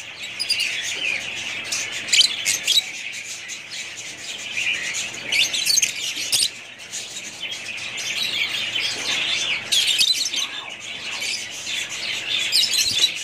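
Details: A family group of budgerigar parrots chattering together: dense, continuous high chirps and scratchy warbles overlap throughout, with louder bursts of squawky notes around two, six and ten seconds.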